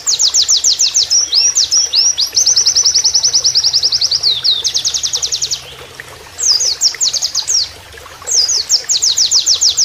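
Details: Canary-style song of an Oriental white-eye, recorded as training material with flowing water added: long, very rapid high trills of sharp repeated notes, broken by brief gaps and resumed in fast bursts, with a low steady hum beneath.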